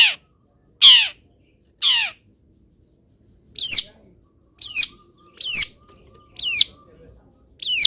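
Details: Caged long-tailed shrike singing after misting in the morning sun; loud downslurred harsh notes, then repeated buzzy descending phrases roughly every second.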